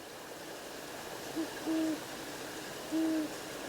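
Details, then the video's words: A Great Horned Owl hoots at night in a Montana cottonwood forest in summer, captured by an autonomous recorder: a brief note, then longer deep, muffled hoots about a second apart, over a steady hiss. "Great horned owls hooted in the night."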